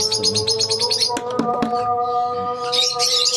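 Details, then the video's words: A rapid run of shrill chirps from lovebirds in a colony, a few sharp clicks, a brief lull, then renewed twittering over a constant hum. "Love bird colony"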